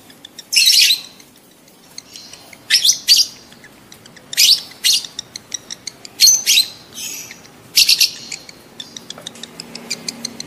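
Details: Mating call of an aroused lovebird, played so adult lovebirds breed quickly. Repeated loud shrill chattering bursts every one to two seconds, separated by rapid dry ticking chirps.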